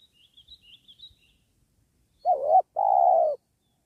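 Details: Spotted dove in a trapping session for wild doves next to a sacred tree. Faint high chirps from a small bird open the clip, then one loud two-part coo: a brief wavering note followed by a sustained, even one.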